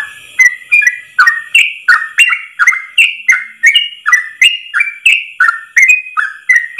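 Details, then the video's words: Yellow-vented bulbul giving a long 'ropel' song for caged birds to learn, all in one breath: brisk chirping whistles in a steady run, each note slurring downward, close to three per second. "Masteran trucukan terbaik ropel 1 nafas panjang"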